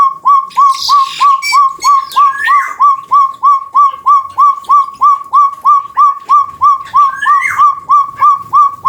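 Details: Long call of the chestnut-bellied partridge, endemic to West and East Java, Indonesia: a fast, very even run of short, down-curving whistled notes, roughly three each second, while other birds chirp and trill faintly higher up.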